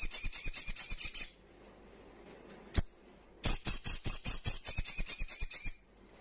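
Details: Loud, high-pitched trilled song of a wild crimson sunbird: a fast burst of ticking metallic notes, a pause broken by one sharp chip, then a longer rapid trill of more than a dozen notes.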